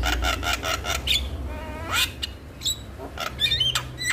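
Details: Male Javan myna, a lively singer meant to prompt other mynas into song, giving harsh buzzy bursts, a rising ladder of notes and short whistles over a low background hum.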